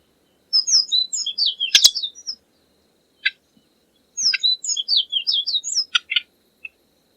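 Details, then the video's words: Tanager from Latin America delivering two rapid bursts of high, bright twittering notes, each lasting about two seconds, separated by a short sharp note and a brief pause, with a loud snap in the first burst. "SONIDO DE LAS TANGARAS"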